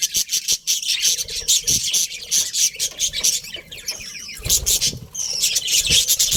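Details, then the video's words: ['Budgies in a colony with a breeding pair keep up constant high, buzzy chatter. Soft thumps and wing-flapping noises are scattered through it.'] "Colourful Budgies Chirping Sounds"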